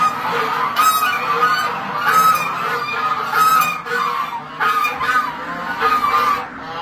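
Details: White Chinese geese giving loud, nasal honks in bursts, roughly one each second, with short pauses between groups.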